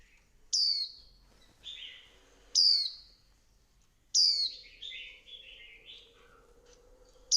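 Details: Thin, piercing downward-sliding notes from a female Swinhoe's white-eye rousing the male to sing. They are spaced irregularly, with lower twittering phrases in between and a faint low hum in the background.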